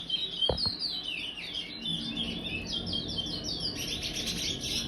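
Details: Young brown chestnut-bellied seed finch, five months old, kept in an aviary, singing in the praia style: a fast, continuous twitter of high, sharply slurred chevron notes repeated several times a second, with a couple of soft knocks early on.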